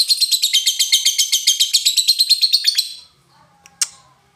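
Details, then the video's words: Lovebird in a rapid high-pitched ngekek chatter, a long run of quick buzzy repeated notes for nearly three seconds, then a short pause and one sharp click-like chirp. "LOVEBIRD NGETIK NGOEK LANJUT NGEKEK"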